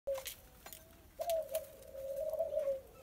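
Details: Very tame young Barbary dove being friendly, giving a short low coo followed by a long, steady, hollow coo lasting about one and a half seconds, with faint clicks and handling noises.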